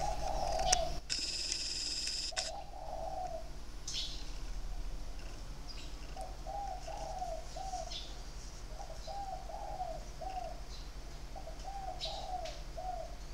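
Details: Spotted dove with a sharp voice singing in three- or four-note phrases, 23 February 2020; one coo phrase and a brief clatter come first, then a long run of soft, evenly repeated cooing notes with faint high chirps behind.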